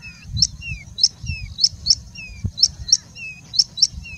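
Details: Singing bushlark in India singing continuously and mimicking other birds such as Indian robin, pied bushchat, plain prinia and common woodshrike: sharp high chips repeated about twice a second, alternating with short downward-slurred whistles, over low background rumble.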